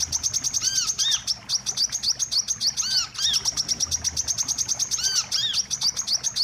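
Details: Wiceh trapping lure: dense, quick-fire piercing chirps with brief gaps, mixed with repeated curved, ringing call notes about once a second.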